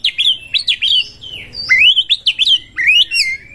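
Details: Breeding-condition Oriental magpie-robin used as a lure: loud, clear whistled notes that swoop up and down, repeated several to the second, with some rising slurred phrases over a soft low hum.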